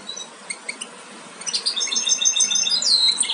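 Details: Young European goldfinches close to leaving the nest, Major aminet carrier x Parva Ancestral, start with sparse high peeps, then build into a busier, continuous twittering with a sweeping downward note near the end.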